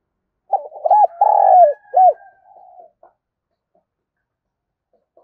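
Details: Spotted dove decoy bird cooing and calling to lure wild doves: a burst of short hollow coos, one long drawn-out coo, then a final rounded coo, followed by fading soft notes and quiet.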